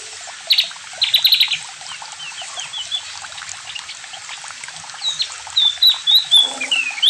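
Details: Javan white-eye singing: scattered high chirps and a quick burst of rattling notes, then a run of sweet sliding whistles growing louder toward the end.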